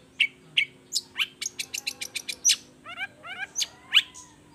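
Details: Long-tailed shrike singing in full voice: sharp high chips, a rapid rhythmic series of clicks, then paired downslurred whistled notes and a few rising squeaks, with a faint steady hum.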